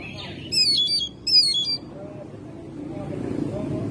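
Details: Home-kept Oriental magpie-robin singing in May: two loud, buzzy, harmonic-rich phrases about a second apart, then quieter background murmur.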